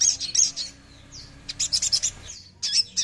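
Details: Songbird played to prompt silent caged birds to sing: bursts of high, bright chirps and trills, with quiet gaps and a brief thin whistled slur between phrases.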